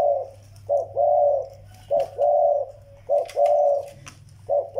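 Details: Zebra dove, a young bird alongside an old Vietnamese decoy bird, giving soft mid-pitched coos in short grouped phrases, each phrase a brief note then a longer steady one, repeated about every second; indoor hum underneath.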